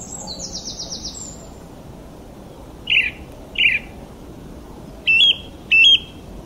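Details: Bird chirping: a high buzzy trill, then paired short warbled notes and two looped whistled chirps spaced about a second apart, over a low constant hiss.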